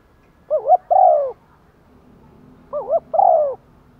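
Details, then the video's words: Captive decoy spotted dove cooing to lure wild doves, in the one-ending calling style: two phrases, each a quick double note followed by a longer falling coo, about two seconds apart, clean and quiet behind. "chim cu mồi gáy thúc và gáy gọi một hậu"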